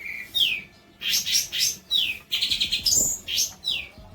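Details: Long-tailed shrike song intended for teaching other birds: varied whistled notes, some sliding downward, alternating with short bursts of rapid, high chattering chirps.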